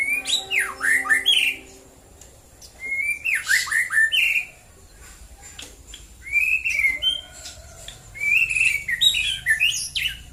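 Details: Morning song of a white-rumped shama at Prambanan, Klaten, Central Java. Rich whistled phrases come in four bursts about two seconds apart, each with sweeping, swooping notes and thin high accents. Faint low tones sound early on.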